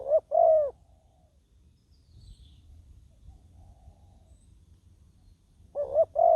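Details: Spotted dove kept as a ground decoy for luring wild doves; one mellow two-part coo at the start and another at the end, with a long quiet gap and faint low rumble between.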